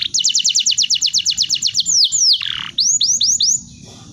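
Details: Canary tutor song for training birds, with about a dozen evenly spaced, sharply descending whistled notes in a steady rhythm, then falling slurs, a rough buzzy dip, and several looping whistled notes before trailing off.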